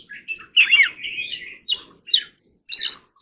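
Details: Oriental magpie-robin singing in forest-voice style while being trained to sing: short sweet whistled phrases and twittering notes, broken by brief pauses, with a bright slurred note near the end.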